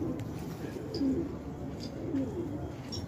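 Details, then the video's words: Fighting pigeons in an Afghan village at Khanabad giving short, low, repeated coos about once a second over a steady background hum. "کفتر های جنگی پرشی در خانه آباد"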